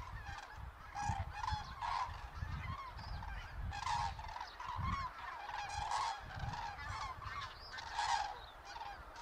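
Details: Autumn migration of common cranes, central Hesse, Germany, 31 October 2022, in poor weather: separate bursts of loud bugling calls from several birds, spaced irregularly, with low thumping rumble between them.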